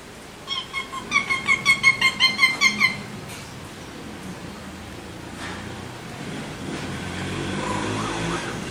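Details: Alexandrine parrots give a rapid, evenly spaced run of about a dozen short, bright chirping notes lasting three seconds, followed by quiet room noise.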